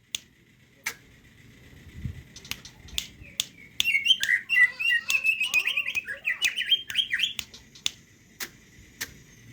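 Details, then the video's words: Greater green leafbird singing hard with its crest raised, in the ngetrok style: a few sharp clicks, then a dense burst of rapid, shrill, chattering warbled phrases lasting about four seconds before fading back to scattered clicks. "cucak hijau gacor ngejambul,ngetrok"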